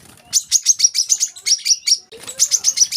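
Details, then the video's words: Olive-backed sunbird (kolibri kelapa), played to train young birds to sing: two quick runs of high, sharp, evenly spaced chirps, about eight per second, with a brief pause between them. "kolibri kelapa | wiceh | manggar | putar suara ini untuk burung bahan agar rajin bunyi"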